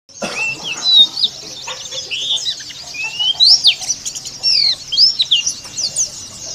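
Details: Dakun-type Oriental white-eye from Kitamani giving a rough, chattering ngeriwik song used as therapy to stimulate singing: loud, high, thin whistled chirps and quick rising and falling slurs, crowded together in bursts.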